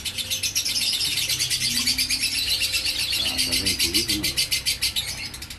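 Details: Fast, shrill, unceasing chatter from a lovebird in the 'ngekek konslet' manner. The pulses come slightly quicker than three per second, with brief human speech near the end and a low hum.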